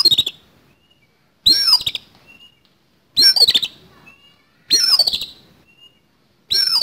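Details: Oriental magpie-robin fighting song in a coarse fill-in style: five harsh, rasping phrases of sweeping whistles and rattles, about every one and a half seconds, each followed by a brief thin whistle in the pause.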